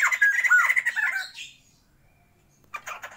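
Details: Short burst of jumbled whistles and harsh squawks from a captive breeding pair of Sumatran white-crested laughingthrushes, fading into silence, then a brief harsh note.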